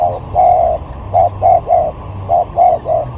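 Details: Spotted dove serving as a lure bird in a luring skill match, three hollow cooing phrases, each a short note then a longer rounded coo, evenly spaced over low rumbling background.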